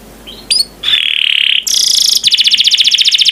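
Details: Canary master song for training other birds to sing: brief high chirps, a sustained buzzy whistled note, a bright metallic buzz, then a rapid even roll of pulsed notes, clean and loud.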